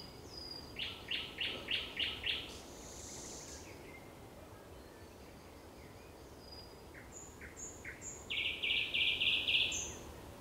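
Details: Thrush nightingale singing at sunset on 30 May 2021: pure high whistles, then a run of about six loud clicking pulses, more thin whistles, and a fast buzzing rattle near the end.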